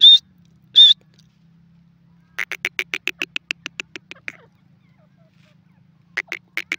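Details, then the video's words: Francolin, identified as a Sindhi or Dakhni teetar, calling: two short high whistled notes, then a fast series of harsh buzzy clicks, a pause, and more clicking pulses with a low steady hum beneath. "dakni teetar voice call sindhi teeter awaaz"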